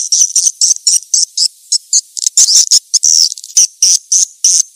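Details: Edible-nest swiftlet attraction call: a steady series of piercing high chirps, some doubled, with a slurred squeaky trill in the middle before the regular chirping resumes.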